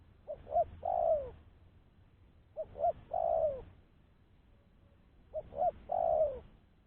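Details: Three repeated phrases of spotted dove lure calling, each a pair of short coos leading into a long, falling coo, spaced roughly every two and a half seconds on a quiet background.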